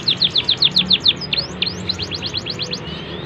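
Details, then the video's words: Canary training song for young birds with good cengkok: a quick row of sharp falling chirps, a brief pause, then softer rising and falling notes repeated rapidly. "KENARI cengkok bagus cocok untuk MASTERAN PAUD"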